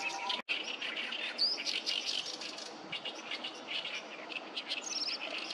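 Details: Noisy chorus of oriental reed warblers at the Sawatari River in June. The singers overlap in rough, grating chatter and quick harsh notes, with a brief sharp whistle near the start and a short click early on.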